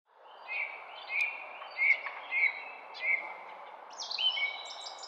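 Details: Songbird singing in a garden: a series of short chirped notes around every half second, followed by a higher, thin twittering phrase, over steady low background noise.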